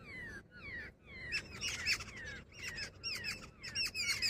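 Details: A few drawn-out, falling nasal calls from a female jungle babbler quickly turn into fast, squeaky, overlapping chatter.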